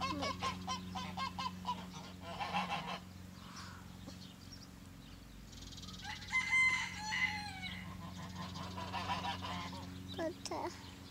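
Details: Farm geese kept together with chickens in spring, giving harsh, nasal honks in rapid bursts early on, then a louder drawn-out honking run midway and short calls near the end, over a steady low mechanical hum.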